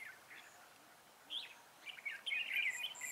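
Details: Red-whiskered bulbul during trapping with a decoy, 19 December 2016; soft warbles build into a loud, rich, rolling slurred phrase near the end, set against light background noise.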